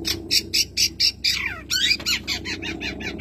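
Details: Madura long-tailed shrike (cendet), a kept songbird, in a masteran training recording with full mimicry fill: harsh, squawky notes repeated about four times a second, briefly breaking into descending slurred phrases, over a low steady hum.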